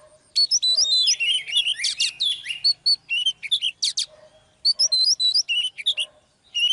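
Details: Oriental magpie-robin, a female used to draw a male into energetic song: rich, varied whistled phrases with quick upslurs, trills and sharp notes in bursts, a pause near the four-second mark, then further rapid phrases.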